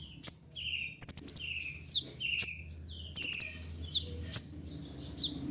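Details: Sunbird known locally as kolibri ninja, used for luring and teaching: bright high chips alternate with falling buzzy notes, with a fast run of four staccato notes twice.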